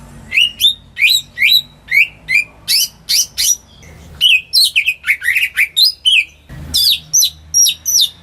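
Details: Greater green leafbird singing at home as a trigger for birds that stay quiet: lively, varied whistled phrases of rising and falling notes in dense bursts, with a brief rustle partway through.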